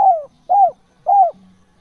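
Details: Spotted dove calling: three soft, hollow coo notes about half a second apart, the first falling and the next two rising then dropping, with clean quiet gaps between them.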